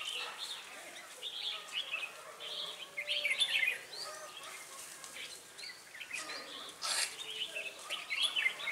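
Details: Lure red-whiskered bulbul singing to draw in wild birds at Ba Thá, 18 December 2016. Quick whistled phrases come in clusters among other birds' chirps, with a brief broad rustling noise near the end.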